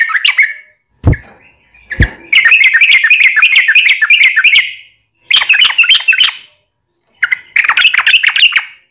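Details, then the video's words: Yellow-vented bulbul song used as a lure to prompt other birds to answer: brief whistled phrase, two sharp knocks, then long bursts of rapid bubbly, chattering notes in repeated bouts. "SUARA trucukan gacor ROPEL PANJANG pancingan trucukan agar bunyi"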